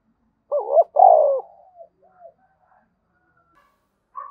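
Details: Spotted dove performing a 'thúc bổi' coo used to prompt other doves to call: a loud two-part coo, a short stutter then a falling note, with softer trailing notes and a brief later sound.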